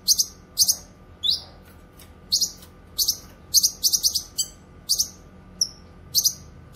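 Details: Cucak kinoy, the grey-cheeked bulbul, sung for training and luring: shrill high chirps in pairs and short bursts, with an occasional slurred rising or falling whistle, irregular gaps between phrases.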